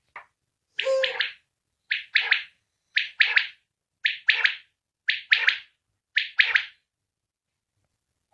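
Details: A single common quail calling outside its cage in 2020 gives its sharp three-note 'wet-my-lips' call, repeated about once a second after a soft low growl at the start, with nothing else heard.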